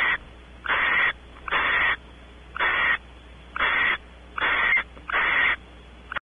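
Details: Barn owls at Audubon Starr Ranch, California, male exploring a nest cavity while the female expects mating: long harsh hissing screeches, each about half a second, repeated roughly every second over a steady low hum.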